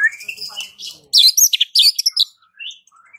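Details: White-rumped shama giving a short burst of high, harsh, scratchy notes after a rising whistled opening, ending with a few soft chirps.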